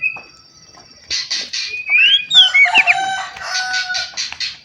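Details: Captive white-rumped shama in full song, used to provoke other shamas into singing: a long high whistle, then clusters of buzzy notes and bright rising and falling whistled phrases.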